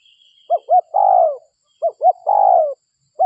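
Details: Two phrases of a local spotted dove's lure call for attracting doves, each made of two quick mellow notes and then a long, downward-sliding coo, with a faint high whistle early on.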